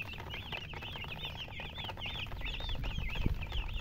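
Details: Domestic chicken chicks chirping: a continuous string of thin, high, arched peeping notes repeated about every quarter second, over steady rumbling background noise with a few low thumps.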